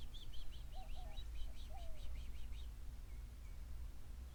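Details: Yellow-faced Grassquits heard from bushes while birding along Cuba's Ancon Peninsula: a fast series of thin, high repeated notes forming a dry trill, with a few lower slurred whistles beneath and steady low background rumble.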